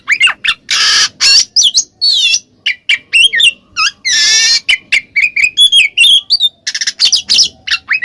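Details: Oriental magpie-robin (kacer) in full ngeplong song, meant to provoke a silent kacer into replying: loud clear whistles sliding up and down, broken by two long harsh buzzy rasps and quick chattering notes.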